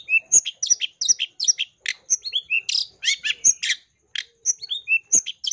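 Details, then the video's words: Energetic, mimicry-rich song of a long-tailed shrike intended to draw other shrikes into singing: quick alternation of clear whistles, twangy slurred notes and scratchy chirps, delivered almost without pause. "PANCINGAN SUARA CENDET GACOR FULL ISIAN"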